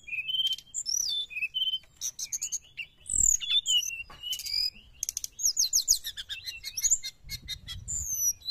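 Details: Energetic Sooty-headed bulbul singing played to lure wild birds, a dense run of rapid high twitters, trills and whistled slurs with hardly any pause, plus a faint low thump partway through.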